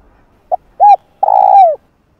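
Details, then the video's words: Spotted dove calling to draw in wild doves: a brief note, a rounded arched coo, then a long, vibrating coo that slides downward. The recording is clean and close. "Cu Gáy Giọng Hạp Bổi Đủ Bài [ GÁY GỌI + THÚC + Gù ] Kích Cu Gáy Bổi Gáy"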